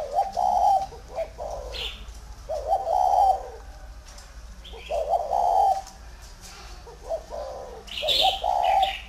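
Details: Tamed spotted dove utters deep cooing phrases, each of a few linked hoarse notes, in clusters roughly every two to three seconds. Brief high bird chirps sound faintly in the background.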